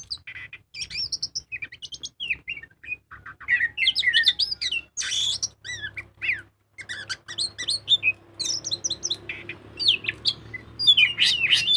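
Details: Long, continuous ngobra song of a magpie-robin, a lure to prompt singing: dense mix of chattering notes, rising and falling whistles, harsh buzzes and bursts of high trills, almost without pause; faint low hum underneath.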